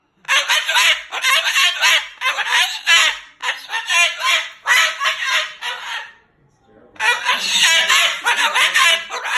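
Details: Moluccan cockatoo, a pet, angrily cursing and talking at full volume; a series of harsh raspy squawk phrases, a brief quiet gap, then more loud chattering.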